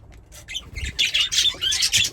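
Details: Two pet budgerigars making rapid, buzzy high chirps that grow louder and busier toward the end.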